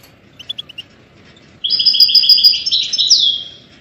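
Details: European goldfinch song for training songbirds: four quick high chirps, then a sustained fast trill of nearly two seconds ending in a descending slur, over a soft background hiss.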